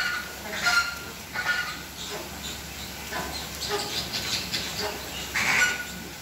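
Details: Captive Chilean flamingos in a flock at Slimbridge, performing a courtship dance. Harsh, nasal honking bursts rise and fall irregularly over a steady background hum, with louder clusters near the start and the end.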